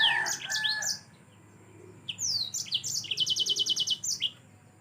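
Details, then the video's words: Lively high song of a yellow-fronted canary in gacor style for tutoring birds: a jumble of sweet notes, a pause, then sliding whistles and a rapid rattling trill of evenly spaced notes. "Mozambik anda pasti ikut Gacor || Sangat Cocok Untuk Masteran Burung Anda"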